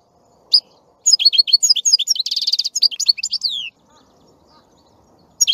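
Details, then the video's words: A goldfinch sings one lively run of high tinkling notes and quick chips, passing through a dense buzzy trill to a long falling whistle, then a lone chirp after a pause. "Красивое пение щегла. Singing goldfinch."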